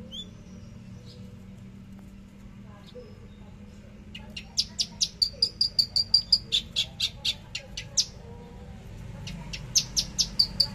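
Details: Caged Javan bush lark singing in the trotol style on 13 December 2022 at 10 a.m.: scattered thin notes, then a rapid run of sharp high ticks with a sustained whistle, pausing, then resuming. Steady low hum underneath.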